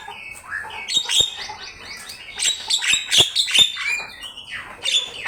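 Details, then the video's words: Javan myna singing vigorously, used as a master recording to train birds: a rapid run of harsh chattering notes mixed with thin high whistles and clicks, with short bursts roughly every half second. "Suara jalak kebo gacor"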